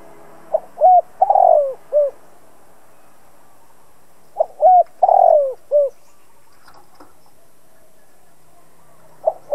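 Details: Spotted dove decoy coo meant to provoke other doves to call: two separated phrases of short hooked notes around a longer throaty croon, a pause of several seconds between them, quiet background.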